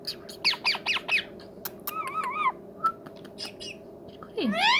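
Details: Pet ringneck parrot, described as a talking, friendly bird, giving a series of short harsh squawks, then a wavering whistled note, scattered clicks, and a final sweeping screech, over a steady low background hum.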